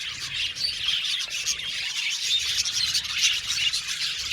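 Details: Budgerigar colony in an aviary: dense, continuous high chirping and twittering from many birds at once, with scattered brief whistled notes over a steady chattering wash.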